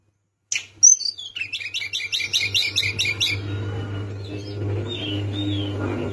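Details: Sunda minivet song aimed at rousing a rival: a sharp high note, then a rapid run of about a dozen buzzy trilled notes over two seconds, followed by faint scattered calls above a steady low hum.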